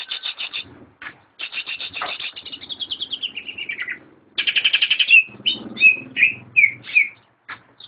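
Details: Greater green leafbird, one of a friend's caged birds, alternates fast trilled chatter with a descending run, then a series of loud, separate, falling whistled notes at roughly half-second intervals.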